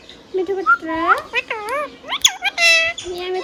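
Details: Hand-tame pet rose-ringed parakeet talking, a green ringneck parrot from India; rapid, speech-like warbled syllables with gliding, rising and falling tones, ending in a drawn-out nasal phrase.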